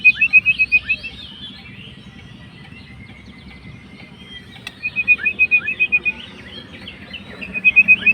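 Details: White-rumped shama, a fighter bird, singing to stir up a rival: bursts of quick, repeated sharp whistled notes separated by quieter pauses with faint thin whistles.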